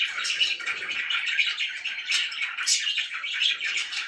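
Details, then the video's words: Several happy pet budgerigars keep up a lively jumble of chirps, trills and harsh notes, with a brighter shrill burst near the middle. "VERY HAPPY BIRDS"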